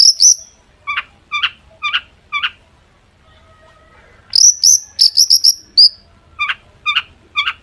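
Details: Long-tailed shrike singing to prompt other shrikes to respond: high whistled notes alternate with spaced, lower clipped chips, a quiet gap in the middle, then more whistles and chips.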